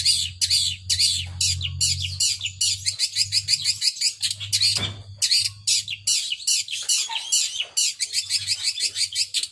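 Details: Long-tailed shrike in a power sobek singing style, a rapid run of harsh, scratchy high notes packed closely together and repeated with brief pauses, with a faint low hum beneath.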